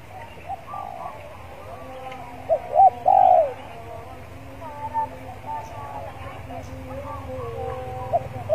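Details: Spotted dove used as a decoy, warming up in a yard before singing: a few loud hollow coos in a quick cluster midway, with softer distant cooing around them.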